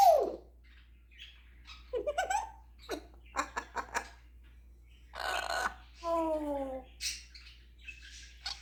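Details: Pet African grey parrot running through its imitations, which include snoring, dog, cat and rooster noises: rapid dry clicks and pops, raspy bursts, and a falling meow-like tone near the middle, with scattered high chirps.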